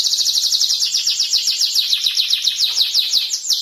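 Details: Canary in a rapid high trill of repeated downward-sweeping notes, evenly paced and loud, shifting to a new phrase near the end.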